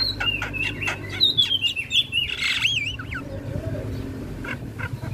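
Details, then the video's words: Javan myna singing with head-bobbing, kept as a tutor recording for other birds: a run of clear whistled notes slides up and down in wavy slurs, mixed with short clicks and chirps, over a low background hum. "Suara Jalak kebo Full Manggut2"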